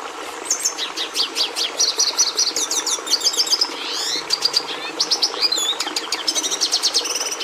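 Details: Long, energetic red siskin song (Carduelis cucullata): bright chirps, buzzy twittered phrases and a descending slurred sweep, followed by more rapid trills and sharp high notes to the end.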